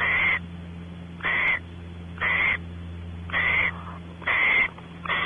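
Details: At Audubon Starr Ranch, California, a male barn owl explores the nest cavity as the female awaits mating; six rasping, noisy hisses of roughly half a second each, spaced about a second apart, with a constant low hum behind.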